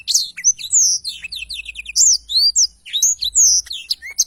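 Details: Blackthroat delivering a long, lively song, clearly recorded: loud sweeping whistles and slurred notes alternate with quick twittering runs and downward-falling phrases, steady throughout.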